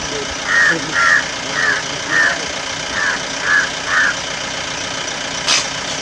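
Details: Changeable hawk-eagle (Nisaetus cirrhatus) confronting a mongoose in Yala National Park: seven short, shrill, high notes at about two per second over a steady low engine-like rumble, with one sharp click near the end.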